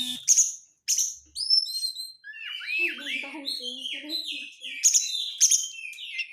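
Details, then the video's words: Crecetan chatter of an Oriental magpie-robin (kacer), a lure for stubborn birds: sharp buzzy bursts, then a long busy stream of varied slurred whistles with deeper harmonic notes, closing on more buzzy strokes. "pancingan kacer susah konslet dengan suara crecetan rapat awas kacer anda lansung ngamuk!"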